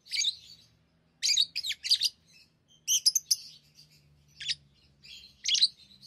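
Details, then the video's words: Tame pet lovebirds chattering while playing with rings: bursts of harsh, high chirps and squeaky notes in clusters, separated by short pauses, with a faint low hum underneath. "Love birds Talking | Singing Sounds"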